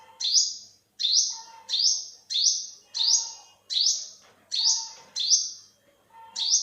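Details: High-pitched rising call notes of an olive-backed sunbird, or yellow-bellied sunbird, delivered in a brisk series about one per second, each bright chip trailed by a faint lower whistle.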